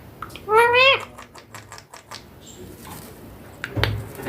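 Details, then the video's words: A pet rose-ringed parakeet talking indoors: one short, voice-like utterance with a rising and falling whistled tone, followed by scattered clicks and taps and a brief knock in a small room. "My ringneck green parrot taking"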